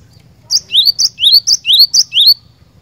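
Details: Energetic cinereous tit song: seven quick repetitions of a sharp high note joined to an upward-sweeping whistle, delivered evenly in under two seconds against a faint low background hum.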